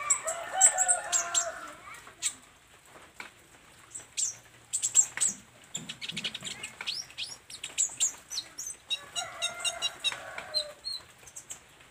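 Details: Olive-backed sunbird, known locally as kolibri ninja, singing energetically and revealing its learned song material: bursts of very high, thin chirps mixed with short warbled phrases lower down, with clicking sounds between them.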